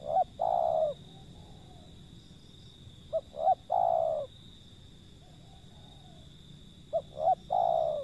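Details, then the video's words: A wild zebra dove repeats its cooing phrase three times at intervals of roughly three seconds. Each phrase is short clipped notes before a longer descending coo. A steady high whine runs through it. "panggilan burung liar si pehang"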